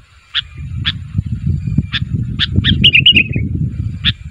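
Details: Sooty-headed bulbul calling so that other bulbuls answer: spaced, sharp chirps about every half second, then a quick run of bubbly descending notes, over steady low rumbling background noise.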